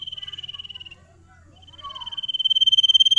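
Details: A Sirtu sings a high pulsing trill that stops, gives way to a few soft twittering notes, then builds again into a louder, rapidly repeated trill.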